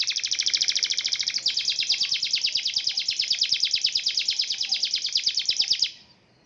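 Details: Canary in long-duration continuous song, used to tutor competition songbirds: a sustained, rapid, high trill of sharp repeated notes that shifts pitch slightly after about a second and a half, then stops abruptly near the end.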